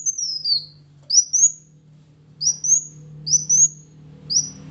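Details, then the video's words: Kolibri Wulung sunbird singing in a prompting recording for quiet birds: five short, very high whistled slurs, each climbing then dropping, about one per second, over a faint low hum. "PANCINGAN ampuh Kolibri Wulung MALAS Bunyi agar GACOR"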